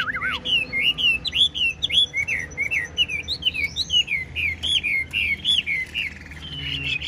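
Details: Caged Chinese hwamei, a male described as nearly fully tame, singing nonstop: a loud, fast run of bright whistled phrases, slurred and warbling, rising and falling and repeated in quick succession, with faint room noise beneath.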